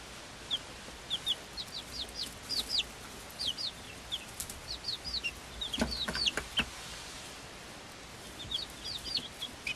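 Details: A group of Swedish Flower Hen chicks, five weeks old and hatched on 26 February 2022, plus a silkie chick of the same age: a busy run of sharp, high, downslurred peeps, many overlapping, with a few brief knocks midway.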